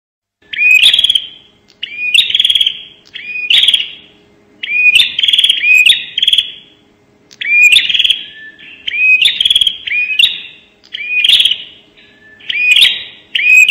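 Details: Long steady run of bar-winged prinia 'nembak' calls for luring, roughly ten pulsing phrases. Each phrase is a hooked whistle and a harsh, high, crackling trill, with brief pauses between them.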